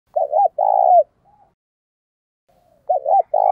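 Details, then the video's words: Decoy spotted dove with a loud, clear voice, cooing to provoke wild rivals into answering. Two low coo phrases, each two quick hooked notes and then a longer, steady note, about three seconds apart. A faint murmur sounds between them. "Chim Cu Mồi thúc đấu giọng to + rõ rất ít tạp âm bổi nghe úc chế gáy theo"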